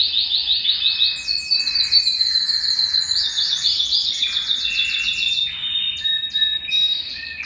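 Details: Belgian canary song, meant to rouse males and bring females into breeding condition: rapid high trilled tours changing every second or two, with steady whistles and short repeated clipped notes near the close.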